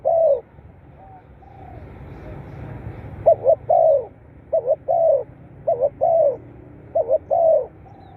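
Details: Spotted dove calling, used as playback to rouse captive birds. A single coo phrase, a quiet lull, then four rhythmic phrases of short double notes and a longer mellow coo.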